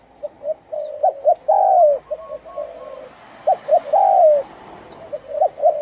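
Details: Husky-voiced Thai spotted dove cooing to stir up other doves: short soft notes leading into long, gravelly, drawn-out coos, over a faint background hiss.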